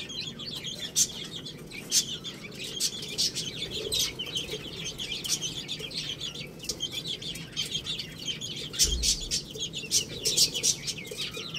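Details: Chicks eat rice while peeping constantly, with brief high chirps every fraction of a second over soft clicks from pecking grains.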